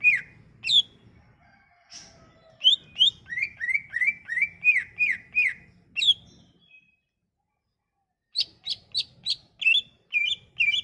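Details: Sumatran leafbird song, a lure for leafbirds that have gone quiet: quick bursts of down-slurred whistles in a rapid run, high sharp chirps, a pause of about two seconds, then a fresh string of high notes.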